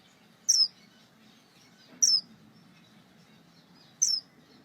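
Star finch giving three thin, high, downslurred notes about two seconds apart, over a faint low hum.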